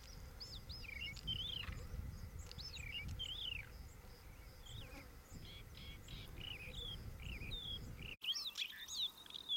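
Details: Sooty chat in the Masai Mara giving short, slurred whistles and chirps in quick, varied phrases, mostly between two and six kilohertz, over a steady low rumble of background noise.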